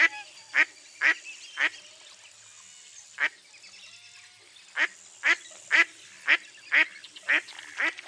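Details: Mottled duck giving loud nasal quacks, three in quick succession, then a pause broken by a single quack, then a longer run of six quacks at about half-second intervals, with little other sound.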